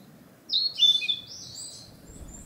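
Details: Narcissus flycatcher returned from the south to breed, singing to claim territory: a single quick phrase of high whistles slurring downward, followed by quiet forest background.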